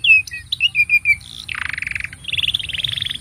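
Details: Canary song intended for training young canaries: a string of clear short whistles, then a low grating roll and a higher rapid pulsing trill.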